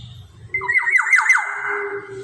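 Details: Black-naped oriole, used as a lure for other birds, giving a burst of four or five rapid downslurred nasal notes that merge into a sustained raspy squawk lasting about a second, after a quiet start.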